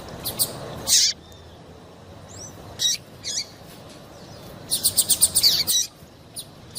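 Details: Female double-collared seedeater calling to prompt the male's song, with a few separate high chirps and then a fast, even burst of ticking notes near the end.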